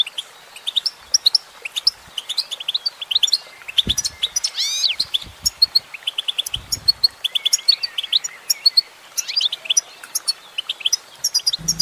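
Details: A female goldfinch sings a busy, tinkling twitter of high notes, with swooping rising and falling slurs near the middle and scattered faint low knocks.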